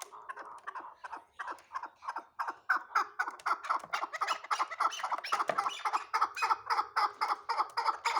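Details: Hybrid chukar partridge, a young bird not yet fully mature and kept for fighting, giving a fast run of short clucking notes at about three to four per second, steady and mid-pitched, growing louder toward the end.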